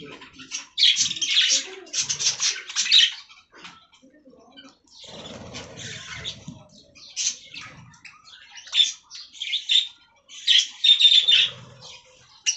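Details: Budgerigars eating fresh green leaves give bursts of high, scratchy warbling chatter. The bursts are separated by short quiet gaps, with faint low rustling between them.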